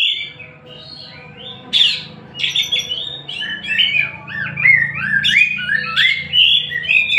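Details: Singing oriental magpie-robin of the Tasik type: after a quiet start, a harsh burst leads into a rapid chain of rising and falling whistled notes and chattering phrases over a low background hum.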